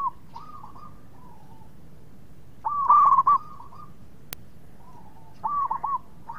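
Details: Zebra dove of local stock singing keenly as a lure to make rivals reply fast: two loud bursts of quick, rolling coos about three seconds apart, linked by fainter drawn-out cooing phrases, with a single sharp click midway and a low steady rumble.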